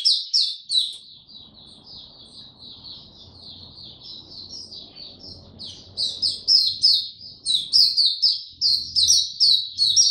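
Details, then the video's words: Tiong aw singing by an Oriental white-eye on 25 January 2022, following a late night: fast high chirps, then a softer rambling twitter, rising again to loud, quick downslurred notes with faint low rumble beneath. "Mata Puteh Hercules V2 buka tiong aw sing"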